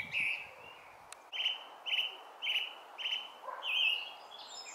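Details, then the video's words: Song thrush (Turdus philomelos) singing in Brighton in June 2020: a short, bright whistled phrase repeated four times in quick succession, then a switch to a new phrase, over a faint background hiss. "Song Thrush (Turdus philomelos)"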